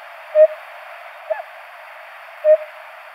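Eurasian hoopoe giving soft, low hollow hoots, single notes about two seconds apart, with a faint extra note between them over steady hiss.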